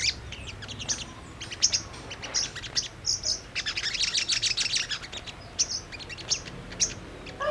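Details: Brown-throated sunbird lure song: scattered high, thin chirps, then a dense twittering burst in the middle, and more spaced sharp notes toward the end.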